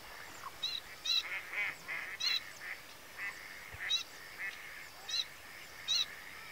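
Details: A single adult male pin-tailed sandgrouse, out of its usual steppe habitat, at Tancat de Milia reserve in l'Albufera, Spain, late spring, 1 June 2013. Nasal buzzy notes mix with sharper higher chevron-shaped calls in irregular bursts over a constant hiss.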